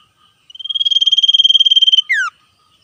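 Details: Wild male common iora singing a vigorous trill while calling back and forth with other wild birds. A single phrase: a rapid pulsed trill at a steady high pitch lasting about one and a half seconds, closed by a quick downward-sliding whistle.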